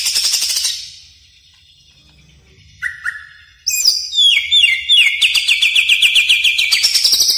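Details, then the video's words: Caged greater green leafbird used for training other birds, opening with a high trill, then short whistles and slurred notes building into a long rapid rattling trill of evenly repeated notes. "Pancingan Dan Masteran Cucak Ijo Gacor Bongkar Isian Mewah Yakin Nyaut | Greater Green Leafbird"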